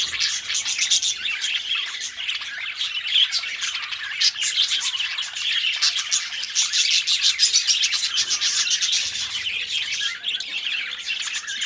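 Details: Pet budgerigars, two companions kept indoors, in a continuous warbling chatter of dense clicks, squeaks and whistled notes, busy and unbroken throughout with no pauses and no other sounds.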